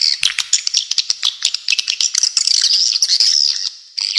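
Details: Swiftlets giving a rapid sequence of sharp clicks and high twitters that merges into a sustained, buzzy trill before a short gap and a final burst of chirping.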